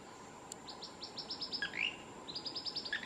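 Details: Blue-crowned Manakin male in Costa Rica's Osa region, March 7, 2019, delivering rapid series of short high descending notes ending in a lower rising slurred phrase, repeated twice, with a sharp click early and constant forest background.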